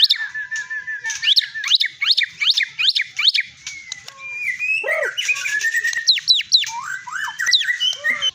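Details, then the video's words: Caged long-tailed Medan white-rumped shama, a champion songbird known for its melodious, varied voice, sings a series of repeated sharp rising whistles, then lower slurred phrases and quick up-and-down notes. "burung sultan!! muntah materi.."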